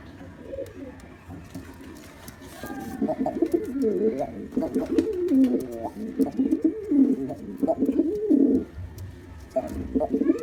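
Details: Black male pigeon performing its display: quiet start, then a long run of low gurgling, rolling coos in uneven bursts, with a faint murmur of voices in the background.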